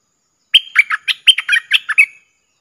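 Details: A decoy streak-eared bulbul, calling as a wild bird flies in on 3 June 2021, gives a quick phrase of about eight bright, bubbly chirps in under two seconds, each dropping slightly in pitch, with no other sounds.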